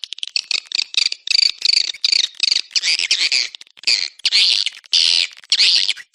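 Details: Swiftlet call sound used to attract swiftlets. Dense bursts of harsh, buzzy, high chirping, packed into blocks about half a second long with short gaps.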